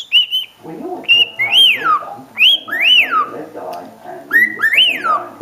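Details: Cockatiel (Nymphicus hollandicus), pet male, whistling a string of clear rising-and-falling notes in short repeated phrases instead of talking when prompted.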